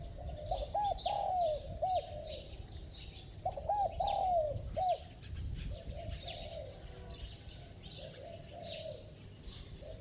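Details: Bell-voiced Spotted dove cooing fast: two clear bursts of looping, slightly descending coos early on, then quieter, softer coos trailing off, with light chirping of other birds throughout.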